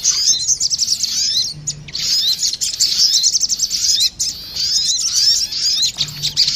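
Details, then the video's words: Crested jays, male and female, replying to each other in a bird lure recording: busy, shrill chattering chirps in long phrases, with a couple of brief dips in loudness. "Suara pikat burung sogon betina dan sogon jantan,saling saut menyautt"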